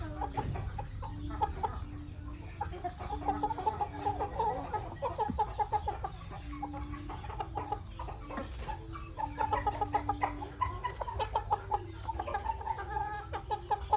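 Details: Breeding chickens give dense runs of short, pulsed clucks, many birds overlapping almost continuously over a constant low droning hum.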